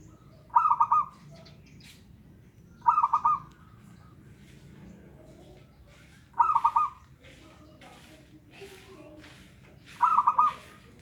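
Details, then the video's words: Lure song of a local zebra dove meant to get a reluctant dove singing: four short, rapidly trilled coo phrases spaced a few seconds apart, with quiet rustling in between. "pancingan perkutut lokal malas bunyi"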